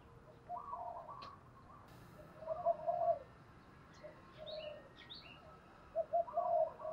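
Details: Decoy spotted dove singing in the 'thổ đồng' style to draw in wild birds: repeated low, mellow coo phrases of several notes, louder in the middle and at the end, with sharp high chirps of other birds between them.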